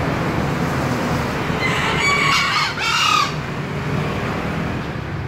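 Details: Green junglefowl crowing once, a short coarse call in two bursts, with low background drone continuing.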